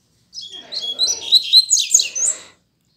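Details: Rusty-collared seedeater in a hand-held cage, still learning its song: a clean two-second burst of high, rapid warbled chirps and twittering notes, rising and falling in quick succession, then silence.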